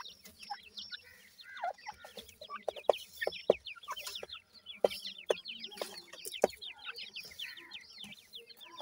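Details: A brood of teetar chicks keeps up rapid, high-pitched descending cheeps, many voices overlapping without pause, while sharp pecking-like clicks sound now and then.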